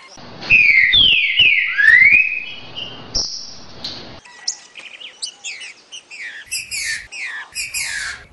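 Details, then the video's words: Green-winged saltator song of the "60 boi" type, used to train young birds: loud clear whistled phrases sliding down and up, followed by quieter varied chirps and twitters. "TRINCA FERRO 60 boi pra treinar filhotes"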